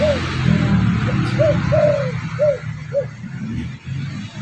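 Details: Spotted dove cooing as a bird-attracting lure: a quick series of short coos with one long sliding note in the middle, fading toward the end, over low hum.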